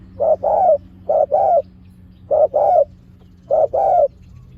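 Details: Decoy spotted dove calling in the sharp pak khruen style to lure wild doves down: low cooing phrases, each a short coo followed by a longer rolling coo, repeated four times about every 1.1 seconds over a faint steady hum.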